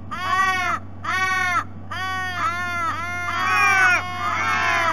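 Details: Several Ravens, wild, making a very noisy morning visit to a Sea-Eagle nest at Sydney Olympic Park, Australia, on 3 February: a run of loud, harsh, drawn-out wailing caws, about seven in five seconds, with a steady low hum underneath.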